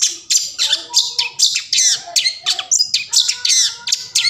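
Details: Long-tailed shrike (cendet) song used to provoke reluctant shrikes into singing: a fast, continuous run of harsh scratchy notes with downward-sweeping squeaky elements, steady throughout.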